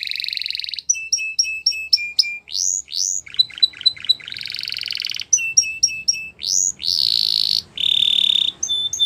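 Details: Spanish Timbrado canary song mixing short clipped double notes, rising whistles, buzzy sustained rolls and quick staccato bursts in a varied, stop-start sequence.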